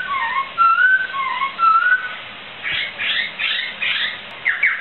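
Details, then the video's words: Laughingthrush singing in a recording meant to train other songbirds: mellow whistles sliding up and down, followed by a burst of rougher, rapid chattering phrases. "Suara Burung Poksai"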